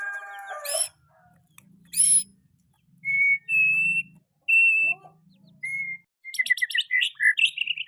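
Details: Young white-rumped shama singing in varied phrases: steep high whistled sweeps, level clear whistles, and a closing burst of quick chirpy notes, separated by short pauses, with faint low background hum.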